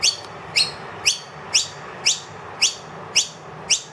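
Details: Wild noisy miner that has brought two young into a room, calling loudly for food after the feeder ran empty. Sharp, high, upslurred notes repeat about twice a second at an even pace over a quiet background.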